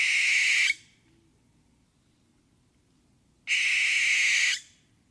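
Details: Barn owl giving two harsh, hissing screeches, each lasting about a second, rough and noisy rather than whistled, spaced nearly three seconds apart with near silence between them.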